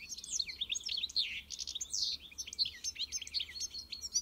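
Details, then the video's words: European goldfinch song, given as an encarte style, made of rapid liquid twittering: tinkling, buzzy notes and quick trills that run on without pause, with short clear whistles mixed in. The phrases vary and no other sounds stand out. "melher canto do Pintassilgo encarte"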